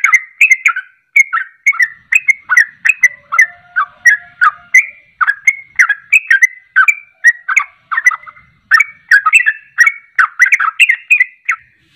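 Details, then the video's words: Long run of sooty-headed bulbul ropelan song, used as a lure to draw birds into singing along: dense, bubbly, chattering whistles pouring out almost without a break for twelve seconds. "Ropelan Trucuk Ini Ampuh Untuk Pancingan Langsung Pada Ikut Ropel"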